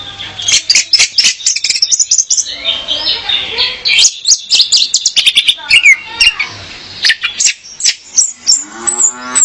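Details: Female orange-headed thrush in lure song for a male, a rapid run of crisp chips, clicks and whistled trills, busy and varied, with a harsh rattle late in the phrase.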